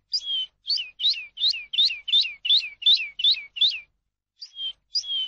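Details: Song for tutoring captive birds, from a Eurasian skylark: a regular chain of clear, high, downward-sweeping whistled notes, about two per second, then a short pause and two longer slurred notes.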